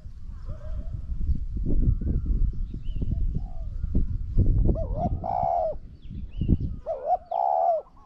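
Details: Spotted dove in a contest between a decoy and a strongly cooing wild bird. Low rustling and thumping fill most of the recording. Clear hiccup-and-croon coos come late, two phrases near the end, with faint coos earlier.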